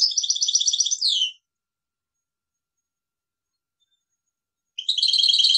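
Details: European goldfinch singing short high phrases of fast repeated tinkling notes ending in a downward slur, then silence before another quick trilled burst.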